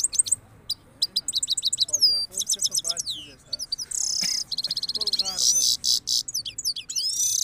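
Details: Himalayan goldfinch pair, the male singing at full power to the female: rapid high tinkling twitters and buzzy trills in quick succession, with occasional lower slurred notes beneath.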